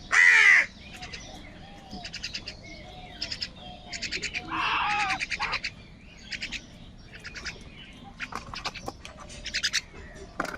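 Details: Many crows calling in the morning while fighting over food: a loud, harsh, drawn-out caw opens, and a second rough call follows midway. Rapid pulsed chattering bursts from other birds fill the background throughout.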